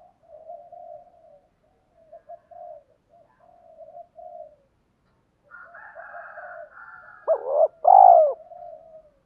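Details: Wild doves are lured by this decoy spotted dove's gáy gọi-thúc calling: a long run of quiet, uneven low coos, then a brief higher hum, ending in a forceful rising note and a rich sustained coo.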